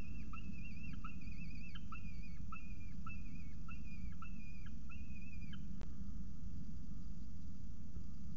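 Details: Peregrine falcon at a nest site at CSU Orange on 2 November 2018, 9:53 am, with a second meal; faint, short chirped calls, each with a falling hook, repeated about every half second over a steady low rumble.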